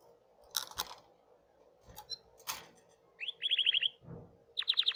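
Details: Hipi-type canary singing: after several sharp broadband clicks and knocks, two short fast trills of bright, evenly repeated notes appear, the second cut off at the end.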